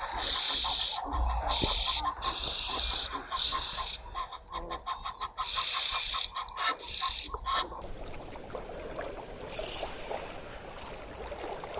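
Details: Singing common starling delivering a string of loud, raspy hissing bursts broken by quick clicks and rattles, then a quieter stretch with one brief high squeal near the end.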